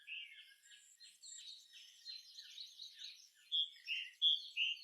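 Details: Birds chirping in the afternoon at dusk. Soft, distant high twitters run together continuously, with a few clearer short whistled notes at the end.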